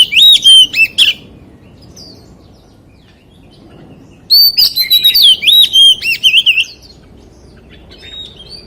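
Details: White-rumped shama singing in wild-voice style: a short burst of looping whistles, a long quiet gap, then a longer sequence of rich, bouncing whistled phrases, with faint notes near the end.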